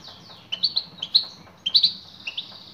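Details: Female European goldfinch calling to a male: quick clusters of bright, high tinkling chirps, two or three notes at a time, repeated about every half second over a faint low hum.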